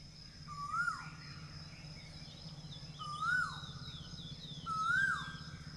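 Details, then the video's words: Asian koel song, three clear rising whistles repeated every two seconds or so, each ending in a quick downward drop, with other birds twittering faintly and a steady low hum behind. "Singing koyal"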